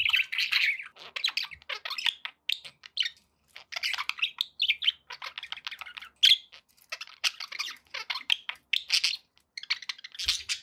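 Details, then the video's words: Pet budgerigars in a happy mood twitter almost nonstop, clusters of buzzy chirps and squeaky warbles every second or so, with short silent gaps and a clicking sound late on. "happy budgie sounds"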